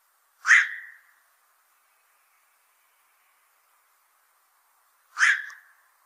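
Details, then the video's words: Two abrupt, raspy 'quok' barks from a black-crowned night heron, a fish eater that plagues fishponds, separated by nearly five seconds of silence. "BLACK CROWNED NIGHT HERON CALL SOUND"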